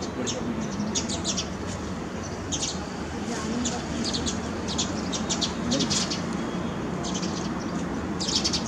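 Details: Several sparrows in a terrace garden during rain give short, bright chirping bursts, some single and some in rapid clusters, scattered through the recording against constant rainfall hiss.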